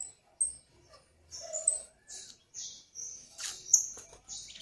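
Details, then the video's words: Quiet domestic canary (canário do reino) phrase of sustained buzzy high tones alternating with sharp whistled pips, followed by a few piercing notes toward the close. "CANARIO DO REINO cantoria LINDA"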